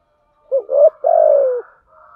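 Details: Female spotted dove used to lure males, uttering a single coo: a brief low note, a short rising syllable, then a long smooth coo that falls slightly. A faint thin tone follows.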